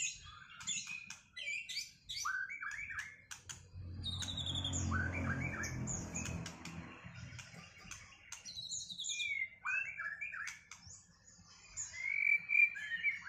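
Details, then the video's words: White-rumped shama just out of moult in a duel meant to bring back its performance; varied whistles and downslurred notes broken by a low rumbling noise midway, then more rising and falling phrases. "Duel murai batu lepas mabung buat mengembalikan performa burung"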